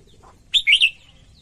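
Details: Singing female red-whiskered bulbul, meant to stimulate males: a faint low chirp, then a loud three-part phrase of rich slurred whistles, quickly falling away to quiet.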